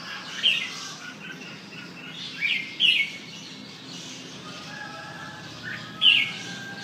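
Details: Red-whiskered bulbul giving a few separate bright whistled notes, some with a quick upward flick, spaced irregularly over several seconds with quiet gaps between them.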